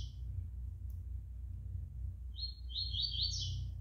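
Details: Five-month-old juvenile double-collared seedeater singing a short burst of bright, high chirping notes in the second half, quick warbled phrases over a steady low hum.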